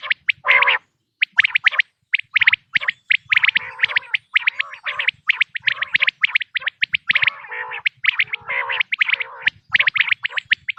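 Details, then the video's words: Quail voices for hunting use, 2026 season. A crowded, nearly unbroken chatter of quick high chirps, with scattered lower grating notes throughout. "بٹیر کی آواز"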